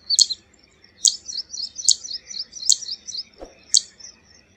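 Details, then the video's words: Zitting cisticola calling: five crisp high zit notes nearly a second apart, linked by soft quick high chirps, with one brief low thump near the end. "Zitting Cisticola call"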